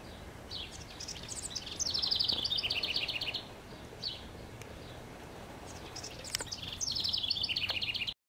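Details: From a treetop in northwest Regina, Saskatchewan, Canada, late May 2015, a house wren gives two bubbly, rapid songs several seconds apart, each a dense descending trill of high notes, with scattered soft chips between.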